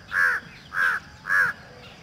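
Peafowl giving three loud, harsh, nasal honks in quick succession, about half a second apart, over a quiet background.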